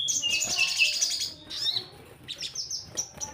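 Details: Lure recording of Orange-headed thrush song to coax birds into singing: a rich, jumbled burst of high twittering notes, then a pause and several clear, thin whistles, some held briefly.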